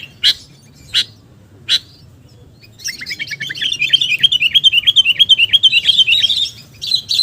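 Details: Sooty-headed bulbul lure call: three spaced sharp chips, then a fast, steady rattling series of short twittering notes, several per second, for the rest of the stretch.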